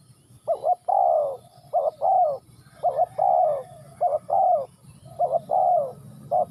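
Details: Ninh Thuận spotted dove cooing rhythmically: five phrases, each a brief two-part coo followed by a fuller, falling coo, delivered in close succession at a mid, mellow pitch.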